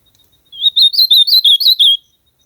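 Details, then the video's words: Ultramarine grosbeak (azulão) singing in nature: a loud, clean phrase of about eight warbled, slurred whistled notes, each rising and falling, delivered steadily over one and a half seconds against a silent background. "AZULAO CANTANDO MUITO NA NATUREZA ESQUENTAR SEU AZULAO COM ESSE CANTO"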